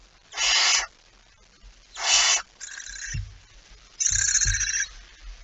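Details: Barn owl at the nest with prey, September 2019: two loud rasping hisses followed by thinner, more tonal screechy calls, with low thumping knocks underneath.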